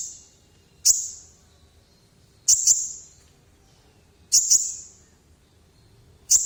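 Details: Olive-backed sunbird (kolibri ninja) singing in full nekan voice: sparse, very high, sharp double chips spaced roughly two seconds apart, quiet between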